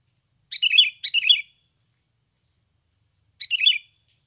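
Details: Natural Sooty-headed bulbul lure sound meant to make other birds sing soon: three quick chattering phrases, the first two back to back, then a pause of about two seconds before the third.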